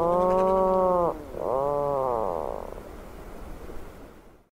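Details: Atlantic puffin gives two low, droning groans, each about a second long; the second wavers and fades, with no other sounds.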